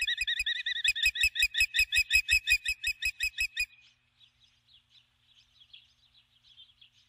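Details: Female osprey at the nest at dusk, calling for her mate, who does not come: a loud, rapid, evenly spaced series of high whistled chirps for about four seconds, then faint distant chirping.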